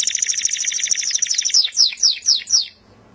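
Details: Canary's melodious song: a dense rapid buzzy trill followed by five loud descending whistled sweeps spaced evenly, then quiet.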